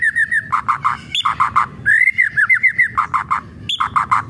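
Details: White-rumped shama giving kretekan-style song, used as a lure to provoke other shamas to sing: a clear whistled slur near the start, then bursts of rapid, clipped, stuttering notes, a long wavering whistle in the middle and more chattering bursts.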